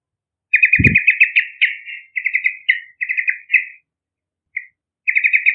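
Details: Energetic yellow-vented bulbul song, used for luring young birds: long strings of fast, bubbly, chortling notes in rapid bursts with brief gaps, and a single dull low knock near the start.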